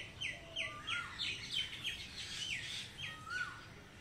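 Common myna giving a fast run of short, slurred, mid-pitched notes, about three a second, mixed with a few lower whistles and chattering.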